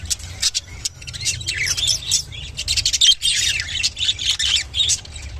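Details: Lutino budgerigar giving its mating call and chatter: a continuous busy warble of fast chirps, clicks and scratchy squeaks, high-pitched and uneven, over five seconds, with a low background hum.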